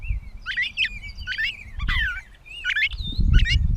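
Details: Gray catbird recorded in Bowdoinham, Maine, 16 May 2020: loud, varied phrases of squeaks, slurred whistles and harsh chatter delivered in quick succession, with a downward-swept note near the middle and some low rumble.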